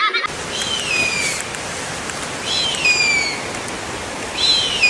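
An eagle gives three high, thin whistled notes, each sliding downward, about two seconds apart, over a steady background hiss.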